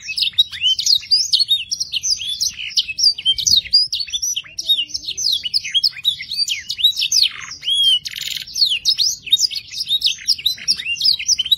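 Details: Canary singing varied phrases, used to teach young canaries to sing. Long unbroken torrent of high chirps, trills and downslurred whistles, with a short harsh rasp around the middle.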